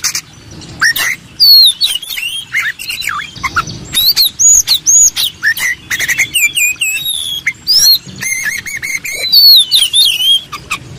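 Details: Oriental magpie-robin master song used for training contest birds: a dense, varied run of whistled slurs, rising and falling notes and sharp chirps, high-pitched and almost unbroken for eleven seconds.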